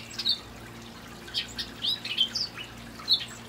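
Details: Hooded oriole in palm trees in the evening, a male singing on and on; quick jumbled whistles and chattering buzzy notes rising and falling, a short burst of several notes, faint steady hum behind.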